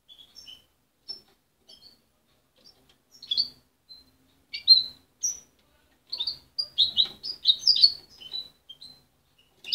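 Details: A young goldfinch hybrid, parent-raised and separated at 23 days, sings a rambling string of high, bright twitters and short chirps, quiet at first then fuller and busier; its song is still muddled but promising.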